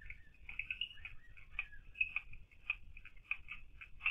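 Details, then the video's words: A bird locally called Bombok leweh, recorded at night at a reputedly haunted spring, gives quick, high, chirpy notes with short warbled phrases over a low rumble; said to call often around midnight, an omen of illness. "burung Bombok leweh, sering bunyi tiap tengah malam"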